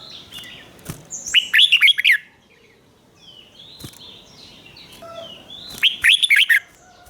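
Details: Caged red-whiskered bulbul singing the doubled 'riik' style, a song played for young birds to copy: two bursts of quick, warbled, up-and-down notes about four seconds apart, with faint chirps from other birds between them.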